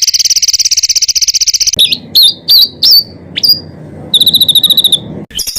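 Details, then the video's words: Songbird fill phrases for masteran: a fast buzzy trill, then separate slurred whistles, and a high ringing trill with a final burst of notes. "BURUNG FULL ISIAN TEMBAKAN"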